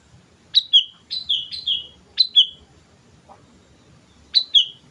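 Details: A sooty-headed bulbul's lure song: repeated short two-note phrases, each a sharp rising note dropping into a clear whistled slur, given five times at irregular intervals of about one second, with low rumbling background.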